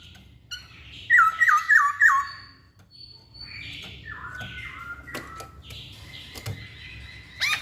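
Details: Song of a masked laughingthrush: a loud series of four quick hooked whistles, followed by quieter flat whistled notes and sharp clicks, ending with a short loud note, over soft low background noise.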